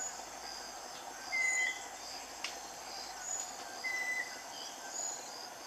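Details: Scaly-breasted wren (Microcerculus marginatus) giving long, pure, slightly falling whistles about two and a half seconds apart, over a steady high hum of insects.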